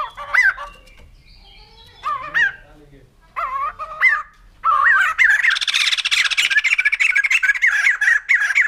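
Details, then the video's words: White-crested laughingthrush calling in separate bursts of wavering, slurred whistles a second apart, then breaking into a sustained, loud, harsh chattering chorus with rapid pulses and looping notes running to the end. "Poksay Jambul Putih || Burung Tertawa"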